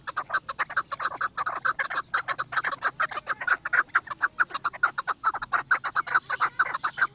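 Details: A Chukar partridge, Pakistan's national bird, displaying and circling around a female, gives a rapid, steady stream of harsh, mid-pitched, rhythmic clucking 'chuk' notes, about two per second.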